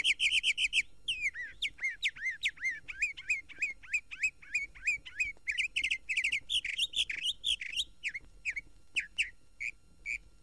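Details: Song of the Northern Mockingbird, Florida's state bird, heard day and moonlit night, on a 1969 Florida bird record: a fast, varied stream of whistled, slurred and chattering phrases, each repeated several times before switching to the next.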